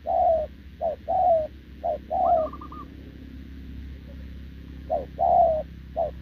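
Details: Short-legged spotted dove, caught from the wild, cooing alongside a decoy bird, 6 November 2024. Short-then-long coo pairs come in bursts with a pause of about two seconds midway. A single higher rolling trill breaks through once.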